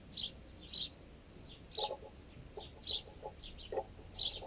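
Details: Sparrows, including fledged juveniles still fed by their parents, feed on a piece of baguette wedged in a tent guy line; short high chirps come in bursts every half second or so, over dull knocking pecks made unnaturally loud through the tent pole.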